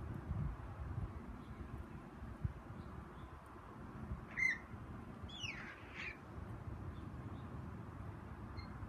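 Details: Steller's jay chirping away in a tree: one short harmonic note near the middle, then a pair of quick downslurred calls a second later, over a continuous low rumbling background.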